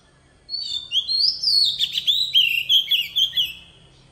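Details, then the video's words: Oriental magpie-robin decoy bird singing in wild-style voice, used to tutor young birds: a rich run of high whistled notes, slurred rising and falling phrases with buzzy trills, delivered in quick pulsing bursts about three seconds long. "Chòe than mồi hót giọng rừng cực hay"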